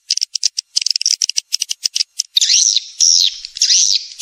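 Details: Lure sound meant to bring young and adult swiftlets to roost: a quick series of dry clicks and ticks, then harsh buzzy twittering calls that swoop down and up in pitch.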